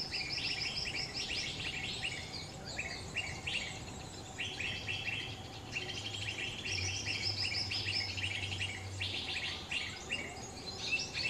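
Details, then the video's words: Lesser green leafbird in the wild in Central Kalimantan: a lively run of rapid chirps, trills and sweet whistled notes, several per second, over a soft background hum of insects. "cucak hijau mini dialam liar"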